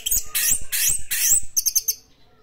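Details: Orange-headed thrush in full classic-style song: three loud, harsh, sweeping bursts followed by a quick run of five short, bright whistled notes that fade out.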